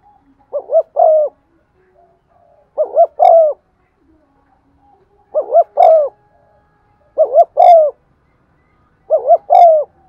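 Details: Spotted dove used as a lure bird, cooing in the 'giọng son' style to stimulate other doves; five phrases, each two quick low coos followed by a longer falling coo, repeated roughly every two seconds in quiet surroundings.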